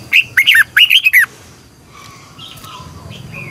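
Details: Caged red-whiskered bulbul used as a lure bird in morning song training, singing a long twisting double-voice phrase: two quick clusters of loud slurred whistles, then softer distant notes over a low hum.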